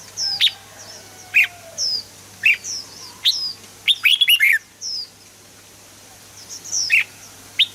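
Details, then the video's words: Red-whiskered bulbul song meant to excite birds: single bright whistled notes spaced about a second apart build to a fast run of rolling warbles. Quieter high chirps follow, then two more notes. "เสียงนกกรงหัวจุก สำหรับต่อ หรือ เปิดให้นกคึก"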